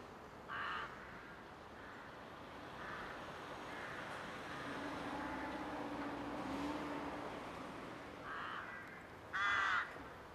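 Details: Courting rooks at a breeding colony: scattered raspy caws at the start and again near the end, louder and grating, with a quieter stretch of distant calls and low rumble between them.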